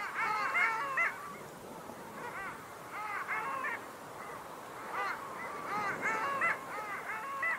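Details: Long-tailed duck, Estonia's bird of the year for 2023: repeated bursts of nasal, musical yodelling notes, bending up and down, coming in groups roughly every second or two from several birds against a soft hiss.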